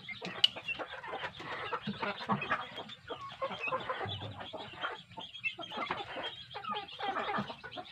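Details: Grown kampung chicks fed well cluck and chirp in a crowded, continuous chorus of short overlapping notes, with faint voices in the background.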